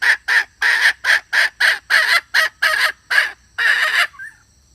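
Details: Close, loud calling of a red junglefowl hen used as a lure for males: about a dozen harsh, broad cackling notes in an uneven rhythm, the last one drawn out, then silence.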